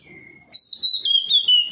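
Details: Oriental magpie-robin, responding to another magpie-robin, gives a faint low whistle, then a loud clear whistled phrase that wavers and slowly drops in pitch.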